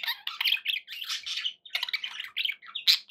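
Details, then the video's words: Almost continuous budgie chatter from pet birds indoors, scratchy warbling and squawky chirps running together, with a sharp squeak near the end. "11 hours of budgie sounds"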